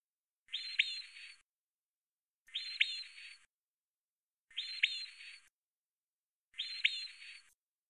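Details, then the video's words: European robin song motif, one of nine motifs from a song described as in F major, shown singly: a bright, high whistled phrase with sharp descending strokes and a thin upper trill. It is repeated four times, about every two seconds, with silence between. "Rotkehlchen (2.1b) - ein Gesang in "F-Dur""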